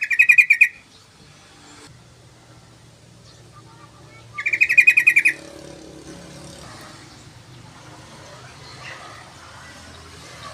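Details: Yellow-vented bulbul singing actively, recorded as a tutor and lure: two short bubbling phrases of rapid chattering notes about four seconds apart, then quiet low hum.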